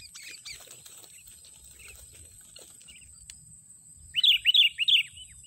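A Sooty-headed bulbul gives three bright, liquid whistled notes, each rising then dropping, in about a second, over a steady high insect whine and faint chirps.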